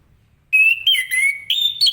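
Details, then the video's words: A morning orange-headed thrush sings ngeplong to encourage other birds to respond. Clear drawn-out whistles glide gently, dip lower, hold steady, then jump higher in a brisk, fluty phrase of about a second and a half. "Anis Kembang Ngeplong Gacor di pagi hari, apapun burung anda pasti ikutan nyaut"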